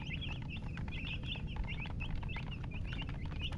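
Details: Baby chicks chirping busily, high thin peeps in quick overlapping bursts, some notes bending up then down, with a steady low-pitched hum underneath.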